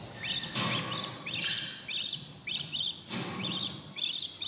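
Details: Budgerigar chicks in a new nest at day fourteen, uttering thin, down-slurred high chirps in steady succession, broken by two loud bumping noises.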